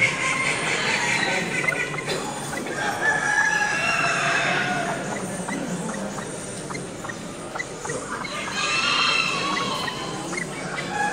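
Golden pheasant giving harsh, clucking fowl-like calls over a busy background of steady clicking and other chattering birds.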